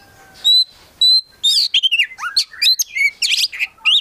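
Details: Collected prospect Oriental magpie-robin gives two pure whistled notes, then launches into a jumbled, fast medley of buzzy chirps, swooping whistles and scratchy trills typical of its imitation-filled singing.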